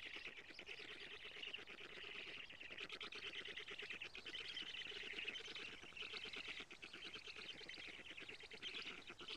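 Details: Black stork chicks in their nest at Karula, Estonia, on 20 June 2017 at 19:48, as a parent arrives to feed them, recorded by a live nest camera. A faint, continuous buzzy rasping pulses rapidly throughout.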